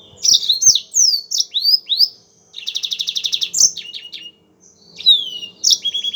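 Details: Energetic Yellow-fronted canary song, a training recording for other birds: a run of high sweeping slurred whistles, then a fast buzzy trill of rapid pulses, followed by more rising and falling twitters after a short pause.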